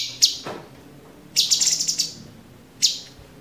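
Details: Cucak cungkok, the Orange-bellied Leafbird, kept in a cage for training song: a single piercing high note, then a short cluster of rapid chirps, and one more sharp note after a pause.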